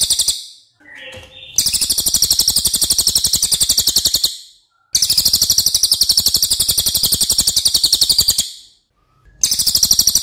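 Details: Racket-tailed treepie, a loud crow relative that tries to outsing other birds, delivering long runs of fast, strident, pulsed notes several seconds long, split by brief pauses, as a master recording for tutoring birds.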